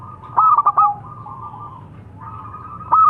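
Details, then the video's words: Local zebra dove, perkutut lokal, delivering one full stuttering coo phrase of clipped notes and a dropping tail, then a long soft hum-like coo, with another phrase starting at the end. "Suara Burung - Perkutut Lokal"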